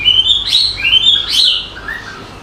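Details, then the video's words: A chirping bird sings two long high whistled phrases that sweep up and down, followed by a softer falling note. "Suara burung berkicau"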